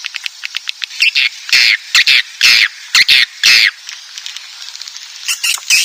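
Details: Swiftlet roosting call of the Inap Ababil style: rapid dry clicks give way to loud buzzy, rasping chirps repeated about twice a second, then fading clicks and thinner high twitters near the end.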